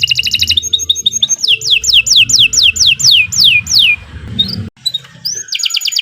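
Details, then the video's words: Canary song for use as a master recording to train other birds and to coax silent birds into singing, long and continuous: a rapid paired-note trill, steady piping notes, then a string of loud descending whistled sweeps, a short pause and another trill. "Kicau Burung Kenari 106 II GACOR PANJANG Cocok untuk Masteran Super"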